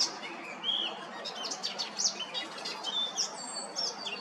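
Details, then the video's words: An Icterine warbler sings from a tree by a primary school building in Hrodna city, western Belarus, on 7 June, giving a rapid, varied jumble of high chirps, squeaky whistles and harsh notes with no pauses. "Icterine warbler singing"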